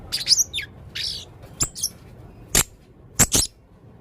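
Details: Male Blue-crowned hanging parrot calling energetically with strange sounds: high, thin chirps and short squeaky twitters, some sliding downward, given in loose bursts with brief pauses.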